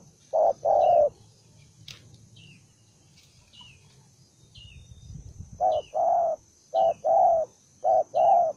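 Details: Combative wild-caught spotted dove, a single bird, gives one loud coo pair, falls silent amid low background rumble for several seconds, then resumes rhythmic short-long hoarse coos; brief high falling chirps of another bird.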